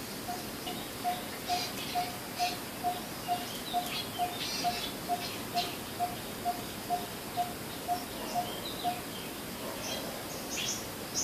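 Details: A coppersmith barbet repeats a steady run of low, hollow 'tonk' notes, a little over two each second, then stops. Scattered chirps and twitters from other birds sound throughout.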